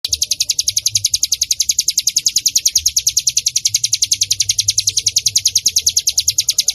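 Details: Bar-winged prinia song used as a lure and training recording for other birds. A rapid, even series of high, sharp chip notes, about eight a second, runs without a break. A faint low rumble sits underneath.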